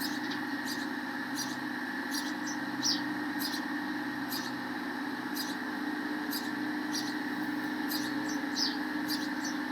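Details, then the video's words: Sparrows feeding their chicks in the nest; short high chirps repeated irregularly, about two a second, over a steady mechanical hum. "Sparrow chirping and feeding their chicks in the nest"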